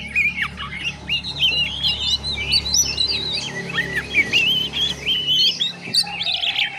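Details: Ngiriwik practice song of a juvenile oriental magpie-robin: a steady stream of high whistled slurs, short trills and zigzag warbled notes over a constant low hum.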